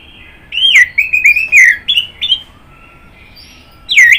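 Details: Orange-headed thrush (anis merah) singing a run of loud, clear whistled notes, slurred up and down, then a pause and one final sharp downslurred phrase.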